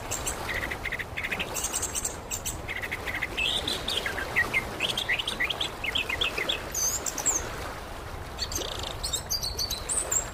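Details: Indonesian orange-headed thrush, or anis kembang, singing as therapy to prompt a quiet bird: quick runs of rising and falling whistled phrases in the middle, with high-pitched chirps and constant background noise throughout.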